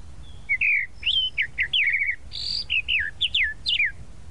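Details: Sabiá-da-praia, the tropical mockingbird of Brazil, sings a lively sequence of short varied phrases: rising and falling whistles, a buzzy note in the middle, roughly a dozen elements in four seconds with faint low background noise.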